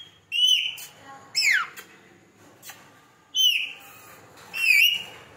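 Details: Talking parrot kept as a pet, uttering shrill whistled notes that dip and rise, with four loud bursts at irregular intervals and softer chatter between them, recorded indoors.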